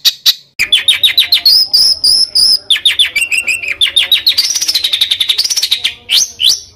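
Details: Bird heard on a master recording meant for training competition songbirds: a rich, varied high song of quick rising chips, buzzy trills and sweeping whistled phrases, changing pattern every second or so.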